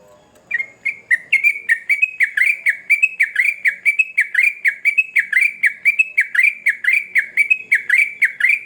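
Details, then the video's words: Sooty-headed bulbul in full vigorous song, locally called trucukan gacor ngamuk: a fast series of short, slurred, chirpy notes, roughly one per second at first and then quickening, each sharply accented and fairly bright, over a quiet background. "Trucukan Gacor Ngamuk"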